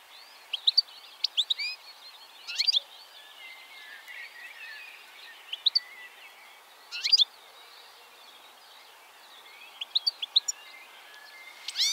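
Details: A male European goldfinch perched on a plant in the Czech Republic, feeding on seeds and calling to his mates, gives bright, high, tinkling twitters in short clusters every couple of seconds, with softer rambling notes between.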